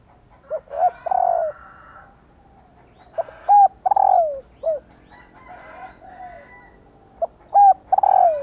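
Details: Spotted dove female calling to make males coo: three phrases, each a short note, a double clipped coo and a long coo falling away at the end, with faint higher bird notes between.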